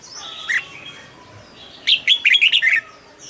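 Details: Red-whiskered bulbul, a cage bird, lets out one fast, loud phrase of about six bubbly warbled notes after a soft opening note and a quiet pause.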